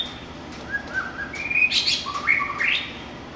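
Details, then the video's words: Song of a wild white-rumped shama in full voice: short whistled notes that build into rising, bright phrases, then several lower slurred whistles, with a low hum underneath. "suara kicau burung MURAI BATU LIAR SUPER GACOR"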